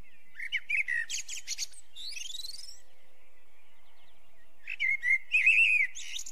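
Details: Two song phrases from a Eurasian blackbird about four seconds apart. Each has rich, warbled whistles mixed with scratchy high chirps, and a thin rising squeal sweeps upward between them. The pause is quiet.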